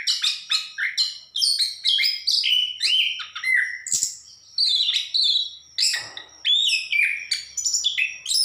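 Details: Lively, continuous song from an orange-headed thrush: a long string of varied whistled notes that mostly slide downward, mixed with scratchy, buzzy elements. A faint soft knock is heard midway.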